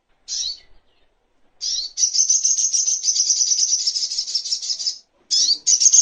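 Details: Little spiderhunter (sogok ontong) song, a master recording for teaching songbirds and for bird therapy: a short high chirp, then a long buzzy rapid trill lasting about three seconds, followed by more sharp notes.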